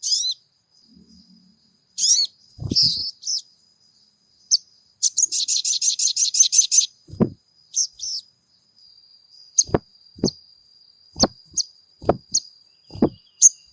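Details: Crimson sunbird song used to provoke caged birds: scattered thin high chips and squeaks, a burst of rapid shrill trilling about two seconds long, then a series of sharp clicks and knocks.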